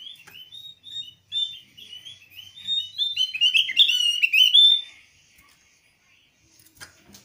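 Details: Javan grey-throated white-eye calling a rival, a call said to provoke silent birds of its kind into calling: high, thin twittering chirps that build into a dense, rapid burst of notes, then fade to a few faint clicks.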